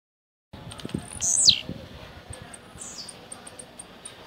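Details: Caged blue-black grassquit from Jacarepaguá, Rio de Janeiro, Brazil, singing the rojão style: a single high, buzzy note sweeping sharply downward, followed by a fainter second slur, with soft ticks and low background rumble.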